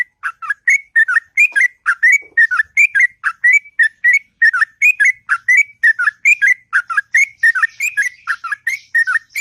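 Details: Long morning song of a sooty-headed bulbul, called ngropel: an unbroken run of fluty, warbling notes, about three per second, each note swooping down then up, steady throughout with no other sounds.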